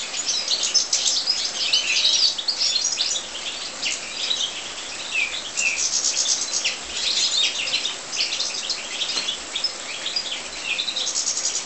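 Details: Several European goldfinches in an aviary, sustained tinkling chatter of high chirps and fluttering trills, fuller in bursts near the start and around the middle.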